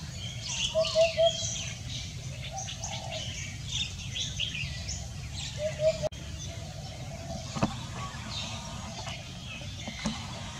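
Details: Common hoopoe on a dense-fog Sunday morning, 31 January 2021, in Thailand: a quick triple of low, soft hooted notes, a lone hoot later, amid faint distant chirping birds and steady background hiss.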